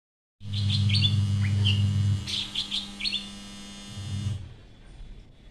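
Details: An oriental magpie-robin sings in the morning, a varied run of bright whistles and quick chirps, several notes a second, over a steady low mechanical hum that stops near the end.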